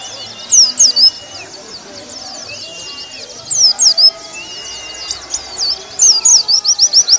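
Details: Warbling white-eye (pleci), training material for caged birds: three short bursts of high, slurred chirps separated by pauses, over a soft background murmur.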